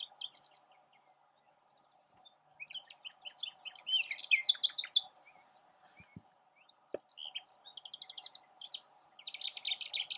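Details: From a tamarisk perch, a nightingale sings bursts of rapid, high chirping and trilled notes separated by pauses, over a steady low hum.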